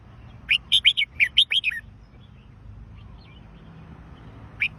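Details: Bright, chirpy song of a red-whiskered bulbul: one quick phrase of about eight sharp slurred notes, then near silence with low background rumble and a single note at the end.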